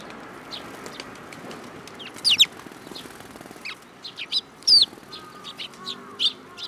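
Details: Sparrows at a Tenmangu shrine on 7 July 2022, flocking to take food from a hand; scattered high chirps with two loud bursts of sharp descending notes, plus a few low whistled tones near the end.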